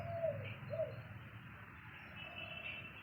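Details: A dove in a tree gives two soft, low coos about half a second apart while a cat sits listening, unable to catch it, then falls quiet against a steady low outdoor rumble.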